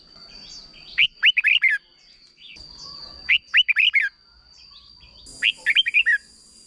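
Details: Thai red-whiskered bulbul with a short doubled song meant for young birds to copy. Three crisp phrases of five or six bouncing, slurred whistles, spaced about two seconds apart, with a steady faint high hum behind.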